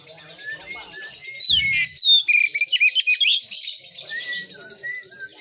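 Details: Strong Oriental magpie-robin song: a burst of rapid, twisting whistles and squeaky notes, followed by sparser, slurred whistled notes with short pauses between them.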